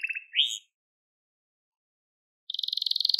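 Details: Crested Gloster canary: a few brief rolled notes and a rising slur, a silent gap, then a fast pulsing trill that grows louder.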